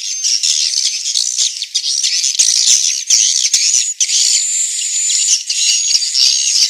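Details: Swiftlets in Central Sulawesi giving the inap (roosting) call: a dense, continuous high buzzy chatter with thin whistled streaks and rapid overlapping bursts, suggesting many birds calling together.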